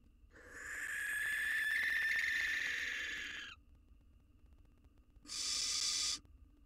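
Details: A male barn owl courts a new female on the outside of the box three days after his mate died, a fledgling with him. A long hoarse screech is followed, after a pause, by a shorter, higher, airy hiss.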